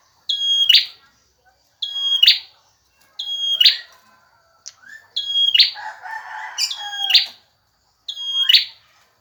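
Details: Male bar-winged prinia singing steadily, a song meant for training other birds: six high whistled phrases, each ending in a rasping buzz, repeated about every one and a half seconds in near silence.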